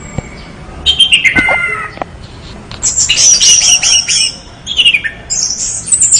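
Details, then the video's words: Orange-headed thrush singing: after a quiet start and a few knocks, a burst of sweet slurred whistles, then loud high twittering phrases broken by short gaps. "anis merah gacor"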